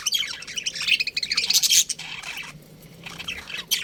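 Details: Budgerigars in a colony give a loud run of sharp squeaky chirps, then the chatter drops to a softer background before a final burst.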